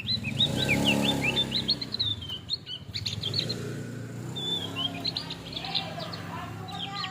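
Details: Song of a male Javan grey-throated white-eye: a fast, tumbling chatter of high twittering notes in bursts, briefly broken, then a second lively twittering phrase over low ambient noise.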